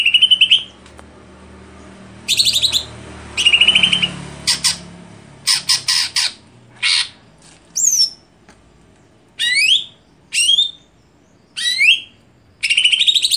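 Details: Greater green leafbird singing a varied run of phrases: buzzy trilled notes, sharp clicks, sweeping upward whistles and short rising slurs, separated by brief pauses, with a faint low hum underneath.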